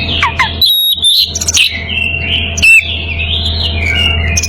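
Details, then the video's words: Oriental magpie-robin in breeding condition, calling out to a rival; bright whistles and short rising notes, bursts of harsh chatter, then a long flowing warble, with a constant low background hum. "Kacer birahi memanggil lawan"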